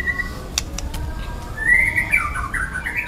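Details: Song of a wild young white-rumped shama: a few faint clicks and a held whistle, then a rising, rippling run of bright whistled notes growing louder toward the end.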